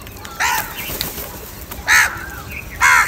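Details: Three loud, rasping caws from crows squabbling over food, roughly a second apart, with brief soft whistled notes from another bird in the gaps.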